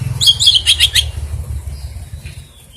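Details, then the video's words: Unusual oriental magpie-robin song with rare filler phrases, heard as a quick run of about six bright, high chipping notes lasting under a second, fading into quiet background with a faint low hum. "Suara kicauan KACER yang aneh, & isian yang sangat LANGKAH"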